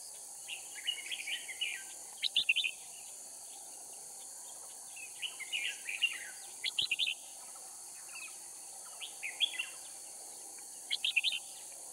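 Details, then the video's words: Red-whiskered bulbul used as a decoy for trapping in Kim Bôi, Hòa Bình, Vietnam, bird from Cao Phong; short bubbly warbled phrases repeated every two to three seconds, each ending in clipped chirps, under a steady insect hiss. "Bẫy chào mào Kim bôi - Hòa bình mồi cao phong ra trận"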